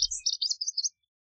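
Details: Lazuli bunting singing a short burst of high, warbled chirps, about eight quick slurred notes in under a second, followed by silence; a faint low thump at the start.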